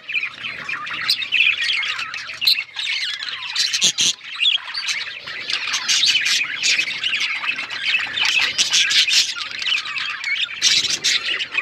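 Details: Pet male budgie's mating song, a dense nonstop chatter of raspy squawks, quick chirps and clicking notes running throughout with only momentary dips.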